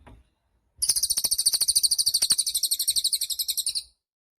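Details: Cililin song, used as a tutor recording for caged songbirds: a high, fast trill of evenly spaced sharp notes running about three seconds, steady in pitch and fading slightly at the end; a soft click precedes it.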